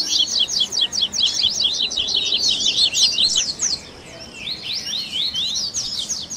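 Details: Double-collared seedeater in a 'baderna' mix of tui tui, grego, viviti and flauteado song for caged-bird training: a fast, regular high trill for nearly four seconds. After a brief lull, looser slurred notes follow.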